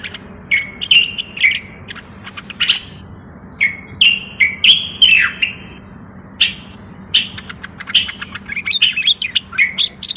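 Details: Common bulbul, called the Moroccan bulbul, pouring out bursts of fluty whistles and clipped chirps in short phrases separated by brief gaps, some notes swooping downward, with light hiss underneath.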